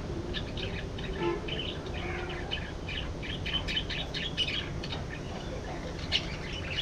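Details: Budgies warbling and chirping in a steady stream of short, scratchy, high notes, several birds overlapping, with a low constant hum underneath.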